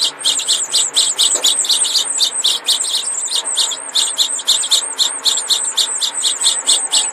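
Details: Four young house finch nestlings, too young for the males to show red breasts, beg with a steady stream of thin, high, rasping chirps, two or three a second, overlapping as they call together.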